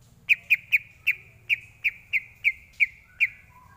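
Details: Greater green leafbird song used as tutor material for training: a series of ten sharp whistled notes near one steady pitch, roughly four per second, ending with a lower drawn-out whistle, over a low background hum.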